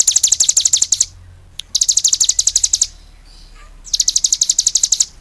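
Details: Cigun singing vigorously in three bursts of about a second each: rapid high-pitched chirping trills separated by short quiet gaps, with faint low background hum.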